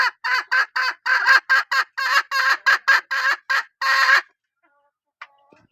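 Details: A hen cackles in a rapid run of about a dozen short, harsh, evenly spaced notes, then falls quiet, with one faint sound afterward.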